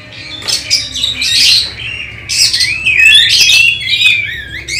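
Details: Oriental magpie-robin song from a contest-preparation test: harsh squawky bursts alternate with clear rising and falling whistles, loud and nearly continuous, over faint low hum.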